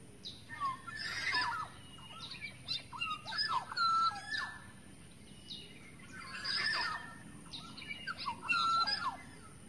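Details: Black-naped oriole in the wild forest, a lure recording: short fluty whistles, some sliding downward, come in two bursts of phrases, with other birds chattering alongside.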